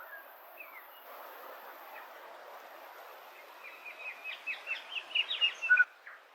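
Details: A calling flock of Silvereyes (Tauhou) feeding on berries in early autumn in the Maungakotukutuku Valley, New Zealand: soft, busy chatter gives way to overlapping thin, high, slurred notes that quicken toward the end.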